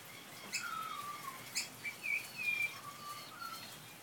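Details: Pied butcherbird sheltering from rain under a verandah's eaves, singing and mimicking car alarms and a cat's meow; clear whistled notes, some sliding down, others rising, with two sharp high clicks early, against a soft hiss.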